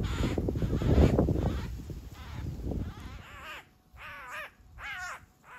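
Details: Eurasian magpie under attack by a Eurasian Sparrowhawk in a backyard; rough scuffling noise first, then three clear arched, harmonic squealing calls spaced about half a second apart.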